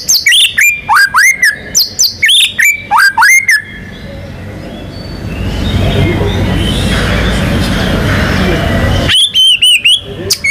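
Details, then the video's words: White-rumped shama, a singing competition bird, giving loud, rich whistled phrases with sharp rising notes, rapid and repeated, then a break of rushing noise before the song resumes. "MURAI BATU GACOR"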